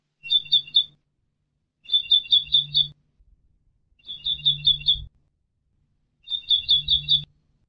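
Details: European goldfinch training song from an educational recording: four clusters of five quick, clipped high notes, each repeated at an even pace, with a low steady hum underneath.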